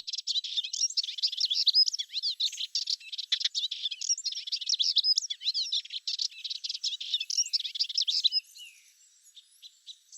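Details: A male melodious warbler near its nest with chicks, on a late-July morning, pours out a fast, high, chattering song of scratchy and sweet notes without pause for about eight seconds, then falls quiet; this song was added to the soundtrack afterward.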